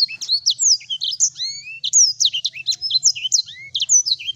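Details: Sanger bird in full, energetic song: a constant rush of high bright chirps, quick trills and long upward whistled slurs, with no other sounds.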